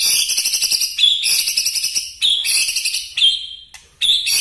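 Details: White-rumped shama delivering rapid, forceful song phrases: dense high buzzy trills and chatters in bursts about a second long, separated by short pauses, with a sharp whistled note near the end.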